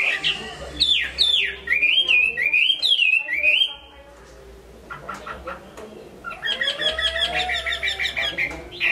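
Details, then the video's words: Caged Chinese hwamei in Hai Phong, Vietnam, described as a fine singer: loud swooping whistled phrases that rise and fall for about four seconds, a brief quiet pause, then a rapid run of high bright repeated notes. "Họa mi hót tốt"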